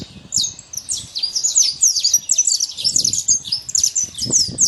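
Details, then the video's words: Wild saffron finch in nature: a continuous flurry of loud, high, sharply downslurred chirps packed closely together, over quiet low background noise. "Canário da terra livre na natureza"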